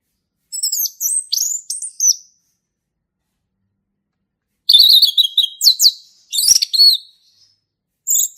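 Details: Male orange-headed thrush in lively song, used as a lure for young birds learning: high, thin slurred whistles, then after a pause a rich, rapid phrase of varied twittering notes.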